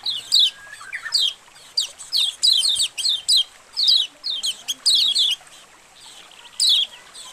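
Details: White-eye colony, a training recording for caged birds so they open their beaks. High, piercing chirps sweep downward in quick runs, with a longer quiet stretch before a final pair.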